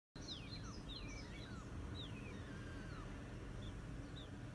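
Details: Caged male king quail, angered during cage cleaning, spreads its wings and charges, perhaps wanting to reach a female beyond the wall; several clear descending whistled notes sliding down from high pitch, over a steady low hum.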